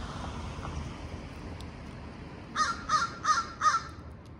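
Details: A young female crow, now grown, yelling with her mother about territory while quarrelling with neighbouring crows; four harsh caws repeated about every third of a second follow quiet background noise.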